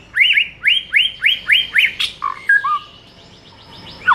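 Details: White-rumped shama song used as a training recording for captive shamas: a series of six upslurred whistled notes about every quarter second, then lower warbled phrases.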